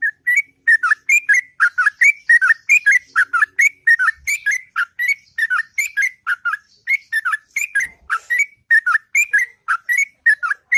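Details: Sooty-headed bulbul singing a long, melodious morning song: a continuous stream of bubbly whistled notes, rising and falling, roughly three notes a second for over ten seconds.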